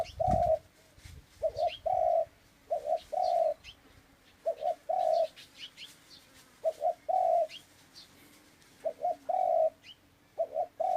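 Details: Long run of dove coos, each phrase a brief double note followed by a sustained coo, repeated regularly about every one and a half seconds, while small birds chirp thinly in the background.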